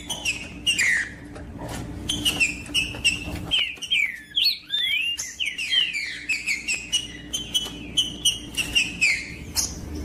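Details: Green-winged saltator singing to warm up captive birds for tournaments: long sequence of vigorous whistled notes, twisting up and down in repeated phrases, with scattered clicks and a constant low hum.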